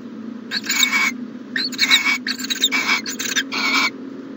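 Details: Owl calling at its nest box in the morning, giving a run of rasping, noisy hiss-like bursts, some in quick pairs, with a constant low hum beneath.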